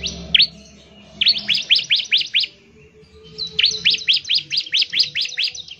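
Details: Bar-winged prinia in a fast 'ngebren' song meant to draw other prinias into singing: one bright note followed by two tight runs of sharp, dipping chirps, the second run longer, with a soft background hum.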